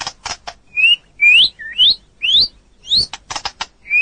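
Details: Training recording of a white-rumped shama for other birds: loud rising whistles repeated about twice a second, with sharp clicking notes at the start and end.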